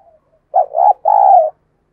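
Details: Decoy spotted dove giving a call used to stir wild doves into answering quickly: a short two-part coo, a wavering mid-pitched note then a longer, steady hollow coo, on an otherwise silent background.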